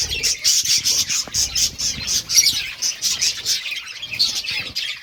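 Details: Several budgerigars eating green food chatter nonstop in high, scratchy chirps, several every second, overlapping into a busy twittering stream with some low rustling beneath.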